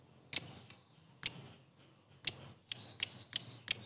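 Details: Ngetik ngekek calls of a lovebird, played as a lure for fighter lovebirds: short, piercing high chirps, spaced widely at first, then quickening into a rapid run of four near the end.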